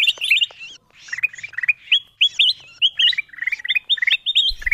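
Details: Golden bulbul lure call used to draw wild bulbuls down: a fast, lively run of bright chirps and short slurred whistles, several notes each second, with a brief low thump at the end.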